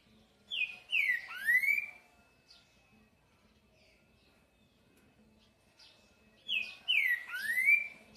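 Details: Green-winged saltator, song style known as 'boi': two matching phrases about six seconds apart, each a quick string of falling whistles ending in a strong upward sweep, with quiet notes between.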